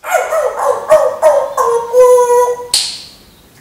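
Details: Pet talking parrot that acts as if it were a dog, mimicking barking: a run of tonal, whiny yelps several per second, ending in a long wavering falling howl and a sharp hissy burst.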